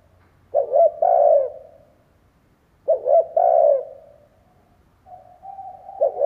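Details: Decoy spotted dove cooing to stimulate other doves: two loud stuttered-then-drawn-out coo phrases about two and a half seconds apart, with a softer dove cooing faintly afterwards and a low hum underneath.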